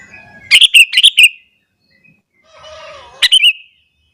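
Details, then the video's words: Morning song of a sooty-headed bulbul singing to provoke rival bulbuls: a short phrase of bubbly chirps, a faint distant whistle, then a second brief three-note burst. "burung kutilang gacor kesetanan yakin bikin tilang lain langsung naik emosi"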